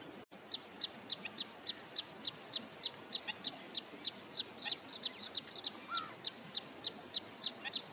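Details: Wood sandpiper at Hoskote Lake on the outskirts of Bangalore, Karnataka, on its wintering grounds near return migration, single-note calling for a long period: a sharp, high note repeated steadily about three times a second, with faint bird chatter behind.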